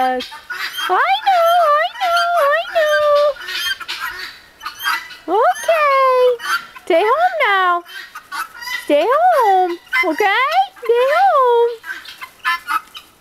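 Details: Guineafowl flock returning home in harsh, rhythmic chattering calls while their owner calls them home in a soothing voice.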